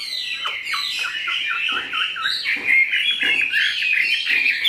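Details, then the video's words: Tame pet Chinese hwamei of large build, said to sing very well, gives a dense, rapid warble of tumbling whistled notes, rising in strength midway and staying busy to the close. "Mi họa thuần, bộ to, chất giọng cực hay"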